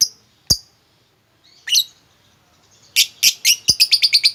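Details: Lovebird sound played as a lure to get a quiet lovebird to sing long 'ngekek' song. Sharp, high chirps are scattered at first, then break into a fast run of about ten evenly repeated shrill notes.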